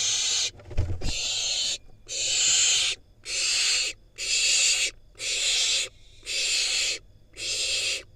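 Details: Wild barn owl fledgling in Israel receiving a rodent from its parents, filmed by nest camera: long harsh hissing screeches repeated about once a second in a steady series, with scraping and thumps early on.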